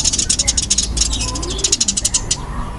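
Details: Burung gereja tarung, the fighting-type Eurasian tree sparrow, giving quick runs of sharp high chirps that stop midway, then resume briefly before fading, with low background noise.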